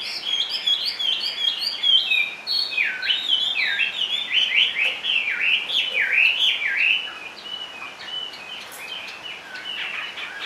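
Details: High, energetic whistled song of a caged Chinese hwamei: rapid chains of bent, downward-sliding notes in a dense rolling sequence, fading to softer phrases after about seven seconds.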